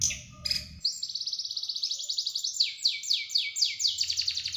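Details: Small bird in a masteran recording with sharp, dense shooting song: a very fast, even trill of high descending notes, about four per second, shifting pitch in steps, over a faint low background hum.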